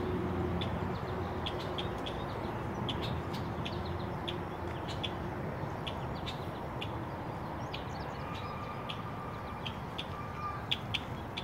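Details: A Red-winged Blackbird dive-bombing a person near its nest gives sharp, dry check notes several times a second against heavy wind rumble, with a faint steady whistle late on.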